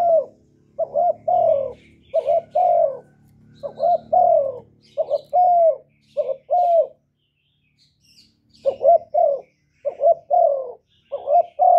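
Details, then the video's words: Spotted dove cooing loudly, recorded with no background noise, played to stimulate kept doves to sing: low mellow coos in short groups, two quick notes then a longer falling one, with a pause near the middle and a faint low hum. "Cu gáy lớn tiếng, không tạp âm, giọng hay dễ mở, cu gáy kích bổi, cu gáy đi bẩy, cu đất gáy, cu cườm"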